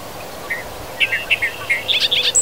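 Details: Bobolink singing in grasslands and fields of Wisconsin, a series of bubbling, gurgling phrases: short high notes building from sparse to a rapid tumbling run in the second half, with faint background hiss.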